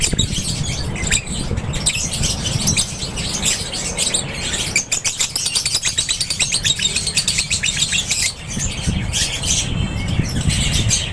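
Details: Aviary flock of lovebirds keeping up a continuous, busy chatter of sharp high chirps, with rapid clicking runs midway and a steady low hum beneath.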